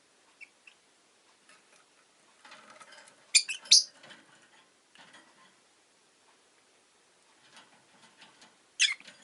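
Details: Rosy-faced lovebird kept as a pet, giving shrill, sharp chirps: a soft scratchy patch, then two loud piercing chirps near the middle and another at the end, with quiet gaps between.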